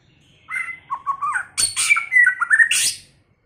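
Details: First-season white-rumped shama in varied song: one whistled note and a few lower warbled notes, then loud rasping bursts and quick rising whistles that close on a high buzzy note. No other sounds intrude.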